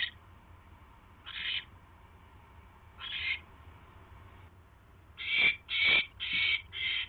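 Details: Owls at the nest after a mouse delivery, 29 January 2016 at night: rasping, hissy screeches, first spaced widely, then four loud ones in quick succession near the end.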